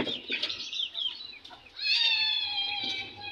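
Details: Several young domestic chicks fighting, newly added fresh chicks; high peeps with a sustained, strained cry running for over a second in the second half, over soft rustling.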